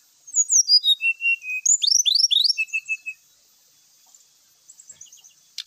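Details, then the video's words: Grey-chested jungle flycatcher in full song, played as a lure to get birds singing quickly: quick descending whistled notes slide into low steady whistles, then a burst of rising swept notes and short flat whistles before quiet soft chips. "sikatan rimba gacor"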